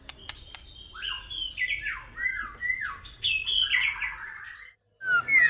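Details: Female white-rumped shama singing in a noisy indoor setting. Clicks lead into harsh, descending slurred notes repeated several times, then a brief quiet gap before louder notes resume.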